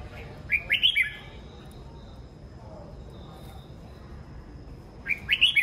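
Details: A red-whiskered bulbul sings in the morning: a rapid, bubbly phrase of clear slurred whistles, then a pause of about four seconds before a similar phrase repeats, with a faint steady high tone in between.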